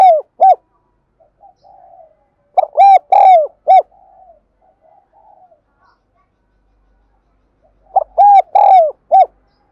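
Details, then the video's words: Spotted dove cooing, a call used to train the voice of newly caught birds and to lure others: three four-note phrases, short-long-long-short, low and mellow, about every three seconds, with soft murmuring between. "Tiếng chim cu gáy dùng luyện giọng chim bổi và mồi chuẩn nhất"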